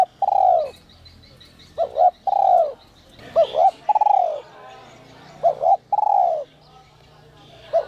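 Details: Whistle-voice spotted dove, a lure for wild doves, repeating its phrase of a double coo and a long falling note roughly every two seconds, about four times, with scattered high bird chirps.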